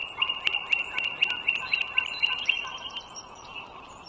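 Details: Wild bald eagle calling at its nest along a northern Virginia toll road, 21 March 2023 at 09:15: rapid series of sharp, high chittering notes repeated about four times a second for two and a half seconds, with constant background hum.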